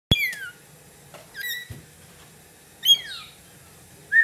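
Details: A lorikeet, apparently a pet, gives several short harmonic calls: sharp descending whistled notes near the start and middle, then a brief buzzy note at the end, separated by quiet gaps with a steady low hum.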